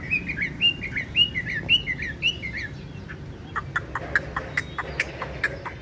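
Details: Loud-voiced tame Chinese hwamei in a cage, yellow legs and bill, gives a series of looping whistled phrases, then switches to short sharp piercing notes repeated roughly twice a second, with a low hum beneath.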